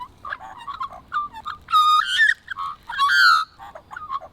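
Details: Australian magpies (Gymnorhina tibicen) singing, recorded over a few months: a rich run of warbling, fluted notes around mid pitch, with two louder, harmonic-rich slurred phrases that glide upward, interspersed with short lower chortles.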